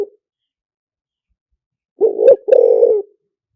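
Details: Single full phrase from a spotted dove used as a lure, lìw tan style: a short rising hoarse coo then a longer rough coo, after a stretch of silence.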